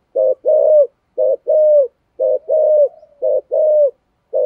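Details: Lure calls of a spotted dove in the 'thổ' style. Four rhythmic couplets, each a short gruff coo followed by a longer smooth one, spaced just under a second apart. A faint soft trailing note sits between two couplets.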